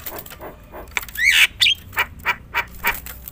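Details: Javan myna (jalak kebo) singing loudly in a mixed, varied song, meant to provoke other mynas into singing; harsh broadband squawks alternate with a rising whistled sweep, repeated rhythmic notes about every third of a second, faint background noise.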